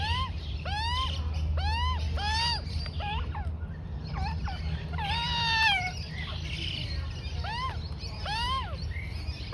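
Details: Young Australian magpie about four to five months old, fed oats by its mother; rapid bursts of squeaky arched calls, a cluster of short clicks, and a longer wavering squeal, over low hum.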